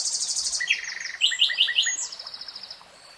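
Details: Nightingale song phrase: a fast high buzzing trill slides into a run of loud, sharp repeated chooks about five per second, fading into a thin high trill, over soft flowing-water noise.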